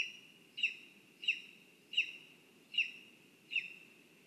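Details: At a spruce nest in Zemgale, Latvia, a lesser spotted eagle gives clipped, high yelps at an even pace, one about every 0.7 seconds. A constant thin tone and soft low rumble run beneath.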